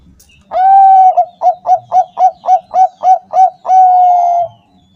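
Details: Bangkok-type zebra dove song used as a lure to make caged doves sing: a long smooth coo, then about nine quick, evenly spaced short coos, closing on another drawn-out steady note.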